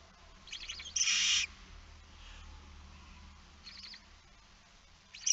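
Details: Lone barn owl chick at its nest in Friesland, Netherlands, evening of 9 September 2019: a single harsh half-second hiss preceded by scratchy notes, with faint rasps later and low background hum.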